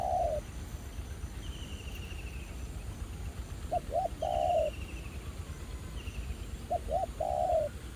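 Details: Wild spotted dove answering a ground decoy at a trapping site revisited after more than a year, the bird described as quite feisty; low cooing phrases of two short notes and a long drawn coo, repeated, with a thin descending trill above.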